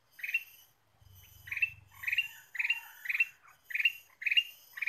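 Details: Ruby-throated bulbul (kutilang emas) singing vigorously in a bird-luring recording: short bright chirping phrases repeated roughly every half second to second, with a brief low rumble early on and a steady thin whine behind.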